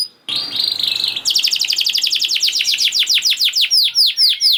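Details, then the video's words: Canary singing, used to encourage other canaries to sing: a short buzzy note, then a long, fast series of sharp descending chips and a few high whistles at the end. "Kenari Gacor Speed Rapet Ampuh Buat Kenari Macet Jadi Ikut Gacor Lagi || Voice of Canary"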